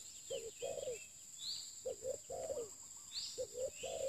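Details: Decoy spotted dove cooing in repeated phrases, each a quick double note followed by a longer, slurred falling coo; faint chirps of other birds and a steady high-pitched whine behind.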